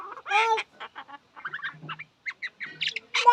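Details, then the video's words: Shalik, or myna, giving a loud nasal squawk followed by short croaking and chirping notes, then high whistled squeaks, broken by brief pauses. "শালিক পাখির ডাক The call of the Shalik bird"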